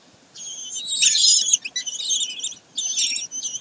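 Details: On 22 May 2023 at Sägeweg, common kestrels utter loud rasping, high calls in three long bursts separated by short silences.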